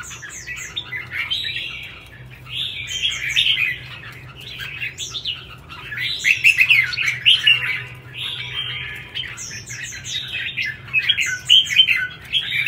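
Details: Red-whiskered bulbul singing in competition style, chào mào hót đấu: a long run of repeated rich warbled phrases, each about a second long with bright whistled peaks and high ticks, steady and loud throughout.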